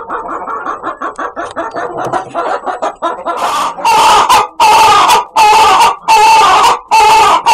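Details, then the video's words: A chicken's odd, funny vocalising: a rapid string of soft, pulsed clucks for the first three seconds, followed by long, loud, rasping squawks separated by short pauses. "Funny Chicken Sound"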